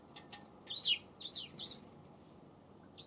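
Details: Eurasian tree sparrow on February 7 uttering a run of three quick high chirps, the first loudest, with faint ticks before and another chirp beginning at the close.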